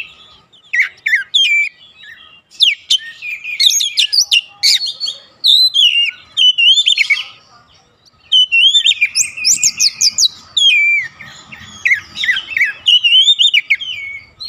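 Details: Continuous, energetic oriental magpie-robin song meant to provoke other magpie-robins: dense runs of sharp chirps, trills and fluting whistles, one brief pause midway, faint low background hum.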